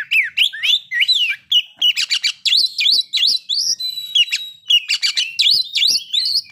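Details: White-rumped shama song used as a provoking recording for breeding condition and aggression: quick looping whistled notes, sweeping up and down, interspersed with clicks, continuous over several seconds.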